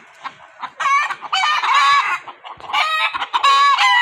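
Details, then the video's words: Several roosters crowing one over another, loud harsh overlapping crows with a few clucks in between. "Rooster crowing compilation"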